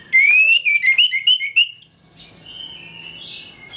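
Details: Orange-headed thrush in loud morning 'ngeplong' song, used to stir other birds into aggression: a rapid run of bright, rising-and-falling whistles lasting over a second, then faint soft warbling.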